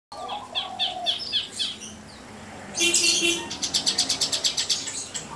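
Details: Kept spotted Javan bush lark singing vigorously: varied high chirps and short whistled phrases, then a loud burst followed by a rapid, evenly spaced series of sharp repeated notes over about two and a half seconds.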